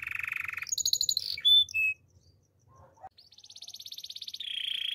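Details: Belgian canary singing in the morning: a buzzy rolling trill, high bright whistles and a rattling run, a short quiet gap, then a long fast high trill that drops into a lower rolling passage.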